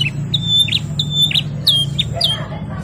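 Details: Short canary phrase of the gacor ngerol nembak style, with flat whistled notes alternating with quick rising chirps, heard over a low droning hum.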